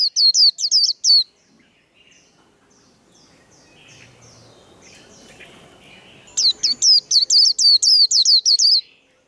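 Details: White-eye in a 'líu đấu' singing contest: two bursts of fast, high, falling chattered notes separated by several seconds of soft, quiet twittering and faint background noise.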